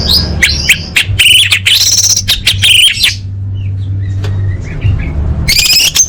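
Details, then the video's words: A female orange-headed thrush calls for males, a lure meant to set quiet birds singing. Bursts of harsh, buzzy high chirps and squeaks come in clusters, followed by a lull with soft faint notes and a steady low hum, then more chirps. "Suara Anis Merah Betina Gacor Untuk Memancing Burung Macet Bunyi"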